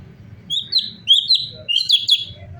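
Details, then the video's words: Sooty-headed bulbul song used as a training lure: a lively run of clear whistled notes, rising and falling, delivered in quick groups over a steady low background hum. "CUCAK CUNGKOK GACOR SUARA ASLI VARIASI UNTUK MASTERAN"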